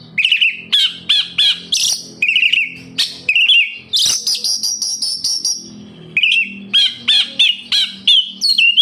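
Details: Kept-bird lure of oriental magpie-robin song: series of short, sharp whistled chips in quick succession, a buzzy drawn-out passage midway, then more repeated bright notes.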